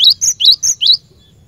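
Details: Glatik batu, a cinereous tit kept as a lure bird, singing a quick run of five bright notes, alternating rising slurred chips with flat high whistles, all within one second, then quiet.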